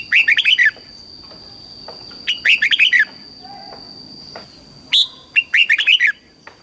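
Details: Red-whiskered bulbul, a caged Thai songbird, in a southern-style master song played to stimulate birds and teach young ones: three short bursts of bright, bubbling, warbled phrases about every two seconds, with a steady faint background hum.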